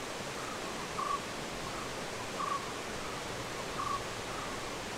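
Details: Barbet calling in the background of Munnar forest, South India: short, low, hollow-toned notes repeated about every one and a half seconds, with softer notes between, over a steady broadband hiss.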